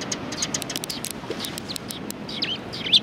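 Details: A flock of sparrows chirping around a Tenmangū shrine on 1 March 2020, many faint high tweets overlapping in a soft chatter, one louder chirp at the end, steady low hum behind.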